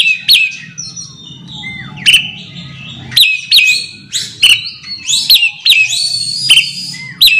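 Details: Calling a rival, an Oriental magpie-robin repeats sharp high whistles and slurred notes, each burst starting with a click, spaced about every half to one second, with steady low background hum.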